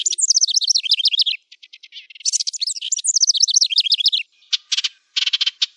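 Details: Wren singing, recorded as a tutor song for cage birds: two long runs of bright, rapidly descending whistled notes linked by ticks, ending in separated buzzy bursts.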